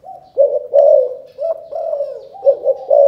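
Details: A spotted dove from Cần Thơ, Vietnam, gives a loud calling coo in the chụp chụp ô style. A run of hollow, low coos rises and falls slightly and ends with choppy doubled notes and a long held coo.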